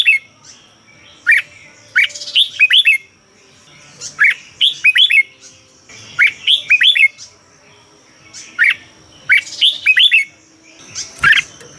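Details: Song of a caged Red-whiskered bulbul from Thailand, played to stir other caged birds: short bubbly phrases of four to six whistled notes repeat roughly every two seconds, with a sharp click near the end.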